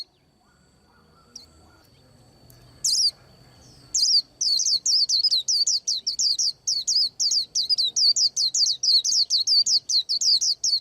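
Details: Song of a white-eye getting ready to moult: two lone high notes, then a sustained rapid string of around twenty-five bright, very high chirps repeated without pause for seven seconds over a quiet background.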